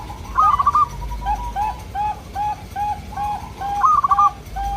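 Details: Zebra doves, local birds, singing to draw answers from other local doves. A rolling stuttered phrase opens and closes the passage, with a string of short, evenly spaced soft coos between them.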